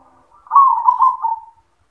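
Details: Zebra dove (perkutut) singing in the yoman voice style: one rolling, trilled coo phrase of about a second, mid-pitched and slightly falling at the end, in a quiet setting.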